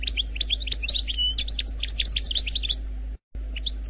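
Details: Algerian goldfinch delivering a rapid twittering phrase of sharp high chirps and short slurred whistles, one drawn-out thin whistle midway, ending after a brief cut with a few more notes.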